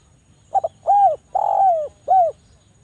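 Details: Javan island collared dove lure call, dense and sharp, to get idle doves cooing: a short stammered double note, a rounded coo, a long sustained coo gliding down, then a brief final coo in a quiet setting.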